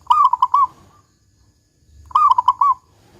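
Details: Local perkutut, the zebra dove, singing its big 'kung' song to draw other doves into song: two rolling, slightly drawn-out cooing phrases of about five notes, two seconds apart.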